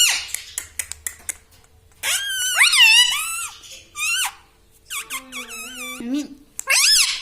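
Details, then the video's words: Pet talking parrot indoors, with clicks at the start, a long stretch of loud wavering speech-like phrases, then a lower hum-like tone and a final burst of mimicry. "Talking parrot || mitthu mitthu || tota || Bolne wala tota"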